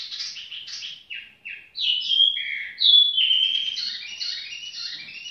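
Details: Tiểu mi bird singing leisurely: scratchy chattering notes lead into loud, sliding whistled phrases, then a varied warble of buzzy descending notes.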